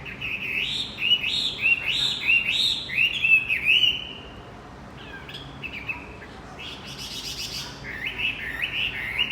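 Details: Lure song of a Javan white-eye for a non-singing male: lively chattering chirps in fast bursts, a short lull, then a buzzy trill and renewed looping whistles.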